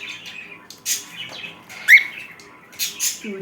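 A cockatiel gives short bright whistles and raspy chirps, including one clear rising whistle.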